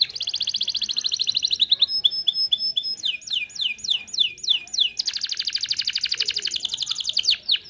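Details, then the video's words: Lively 'gacor' canary song meant to prompt young or silent birds to sing. A fast rolling trill gives way to thin steady high whistles, then a string of downward-sweeping notes, then another rapid trill. "Kenari gacor cocok pancing burung bahan & macet bunyi"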